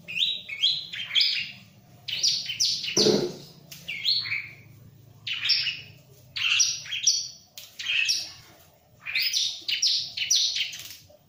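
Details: Bar-winged prinia sings loudly while kept near a myna: clusters of high, sharp chirps and twitters, with pauses between, plus one brief broad click and a low background hum.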